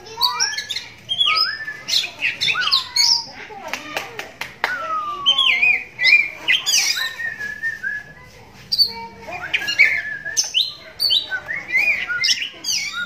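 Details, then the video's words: Kept oriental magpie-robin with one blind eye, its bold song making other magpie-robins reply; long lively stream of sweeping whistles, sharp high chirps and rapid jumbled phrases, with a brief quieter gap midway. "Walau Matanya Buta Tapi Suaranya Mampu Bikin Kacer Lain Langsung Nyahut"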